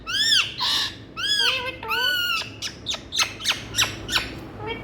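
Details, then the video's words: Indian ring-necked parakeets making strong arched, harmonic squawks, three long screeches followed by a run of short clipped chirps that come roughly every half second, indoors. "Parrot Running Pyari🥀Awaaz Waly🍃Indian Talking Parrots"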